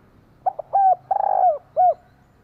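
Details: A single phrase from a female spotted dove stimulating a male: two quick notes, a smooth coo, a long trembling rolled coo, then a last clear falling coo, with a quiet background.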